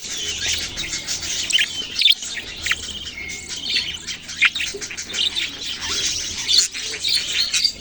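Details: Baby budgerigars chatter with squeaky chirps, sharp clicks and a few short whistled tones, the high twittering nearly continuous with a brief gap early on.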